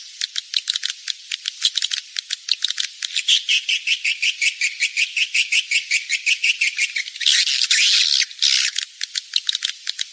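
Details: Edible-nest swiftlet breeding lure for the rainy season: a long run of rhythmic high twittering chirps, nearly three per second, broken near the end by a long rough buzzing burst, then more chirps.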